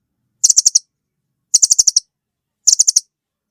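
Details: Velvet-fronted nuthatch repeating a rapid five-note ticking rattle three times, a little over a second apart, very high-pitched and crisp.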